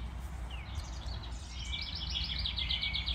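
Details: House Wren singing down the street in spring in Massachusetts, New England: a fast, bubbling jumble of high chattering notes in quick runs over a steady low rumble; House Wren.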